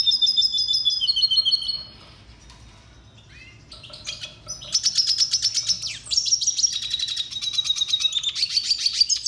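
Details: Song of the red siskin, a small finch of tropical South America, for training: a rapid high trill, a pause with soft notes, then a long, loud run of fast buzzy trilled phrases.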